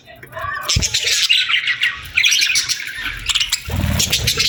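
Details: Many birds chirping together at sunset on a summer evening: dense, overlapping high twitters and squawky notes in quick bursts, fairly steady throughout, with a short low thump near the end.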